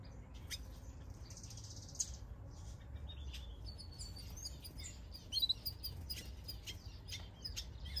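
Village weaver giving high, buzzy, sizzling chatter mixed with sharp ticking notes, over a steady low rumble of background noise.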